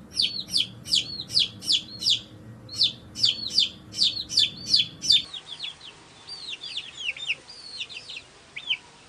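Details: Farmyard chicks, just hatched, calling: loud high peeps repeated steadily almost three per second for five seconds, then a softer jumble of many overlapping down-slurred chirps from several chicks.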